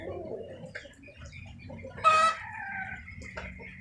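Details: Chicken in rainy weather: soft low clucks, then one sharp, loud, rasping squawk, followed by a thinner drawn-out note, all over a continuous rain wash.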